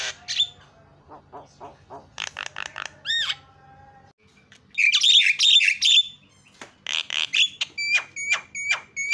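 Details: Lure song of a jalak starling to make silent birds sing: soft ticking notes, harsh buzzy squawks and a rising rasp, then repeated sharp chips and scratchy chatter.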